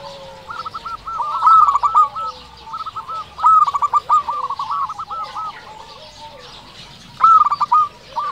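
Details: Local zebra dove singing actively, used to lure and stir other doves: bursts of rapid, rolling cooing notes near the same pitch, repeated about every two seconds, with fainter overlapping cooing from other doves behind.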